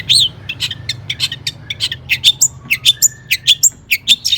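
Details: Long-tailed shrike singing excitedly to set other shrikes singing: rapid, steady series of sharp, high chirps and piping whistled notes, with an accelerating, rhythmic delivery.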